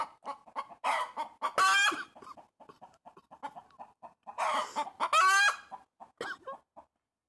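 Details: Pet hen perched on a tree branch calling loudly: irregular clucks mixed with long, harsh, buzzy squawks, the loudest near the start and again midway, with brief pauses between bursts.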